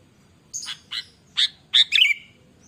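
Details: ['Sooty-headed bulbul (kutilang) singing gacor style for a lure: a few short chirps, then a bright tumbling phrase of slurred whistles. A low hum sits beneath.']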